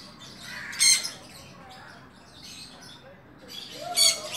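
Sun conure chicks give harsh, raspy squawks in two bursts while being hand-fed.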